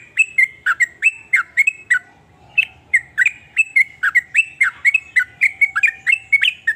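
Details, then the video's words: Sooty-headed bulbul (trucuk) singing its assorted phrases, said to make other bulbuls envious and answer; quick bubbly whistled notes, a brief break near two seconds, then a steady chattering run. "ber macam" suara trucukan ini bikin trucuk lain iri jadi langsung ikut bunyi"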